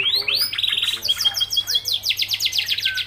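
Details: Greater green leafbird, a kept songbird in strong singing form, delivering a dense run of rapid, repeated chirped and whistled notes, many sliding downward, high-pitched and continuous throughout.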